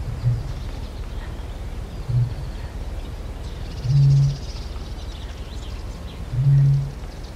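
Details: Eurasian bittern booming: four deep, hollow low hoots, two short grunting notes then two longer swelling booms roughly two seconds apart, over steady low rumble; faint background calls of blue tit, wood pigeon, wren and reed warbler.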